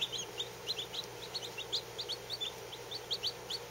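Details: Peeping from a brood of fourteen newly hatched Lavender Orpington chicks resting under heat, each less than 24 hours old; sharp high cheeps come several per second in an uneven, continuous chatter above a constant background hum.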